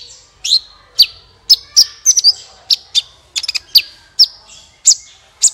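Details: Lively sunbird song meant to spur other birds into singing: a steady stream of sharp, very high, downslurred chirps repeated every half second or so, with occasional quick doubled notes and a faint thin whistle underneath.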